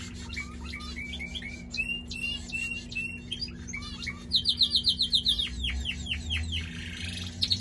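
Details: Singing male pet canary delivering a lively, varied song of chirps and fast sweeps, then a loud rolling tour of rapidly repeated notes, around four per second, with a constant low hum underneath.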